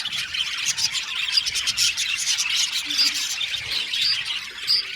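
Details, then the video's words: Budgerigars in an aviary colony, many birds chattering together: a dense, continuous warble of scratchy chirps and bright squeaks, with a few sharp clear whistles toward the end. "Beautiful budgies singing sound | budgies chirping sound"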